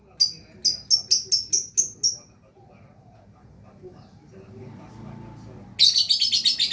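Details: Lovebird singing actively (gacor): a quick series of seven crisp, high chirps, a quiet spell, then a dense buzzy chattering burst at the end.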